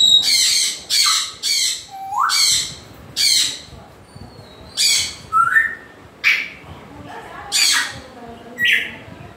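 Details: African grey parrot giving harsh, broadband squawks about every second, mixed with short whistled notes that slide upward and downward, in a quiet setting.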